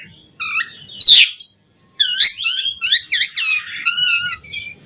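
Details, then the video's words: Asian pied starling singing richly as training material for starlings: a short stacked whistle, a harsh rasping burst, a pause, then a fast string of ringing, wavering notes and a drawn-out buzzy phrase. "Suara Jalak Suren Gacor Melimpah Cocok Buat Pancingan & Masteran Burung Jalak Agar Gacor Full Isian"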